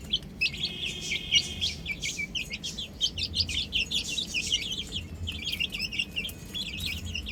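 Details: Chicks on a roof call constantly in thin, high chirps, some drawn out and wavering, others short and clipped, packed densely with brief lulls, over soft low background noise.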